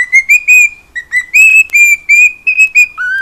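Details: A home cockatiel whistles a chain of even, flat notes of similar pitch in a steady beat, and the final note drops lower.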